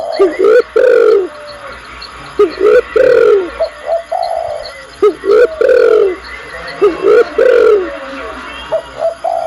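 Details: Female spotted dove calling the male, repeating rough cooing phrases about every two seconds, each a few clipped rising notes then a longer falling coo.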